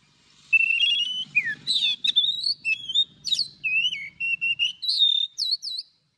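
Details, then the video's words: Oriental magpie-robin morning song in a forest-style voice with long notes, used for training; varied whistled phrases, sweeping slurs and quick upswept notes in continuous bursts, with a faint low rumble underneath. "Chòe than hót Giọng Rừng Đi Âm Dài cực hay"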